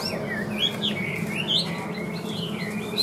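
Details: Caged Chinese hwamei, a well-singing bird with an even voice, gives a run of varied whistled notes, some sliding up and some dipping, strung together without pause over a low background hum.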